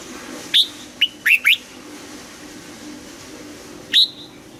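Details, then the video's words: Red-whiskered bulbul singing in morning training, old wild double-note style: a high whistle, three quick clear notes rising and falling, a pause, then one more ringing note. "Luyện giọng cho chào mào hót sáng, ép chào mào hót âm kép già rừng hay tuyệt"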